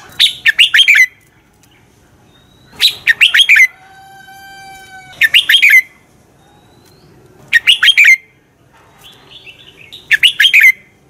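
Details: Red-whiskered bulbul morning competition song for training birds: five short bursts of four or five sharp, warbling whistled notes, about every two to three seconds. A steady, layered humming tone is heard between two of the phrases.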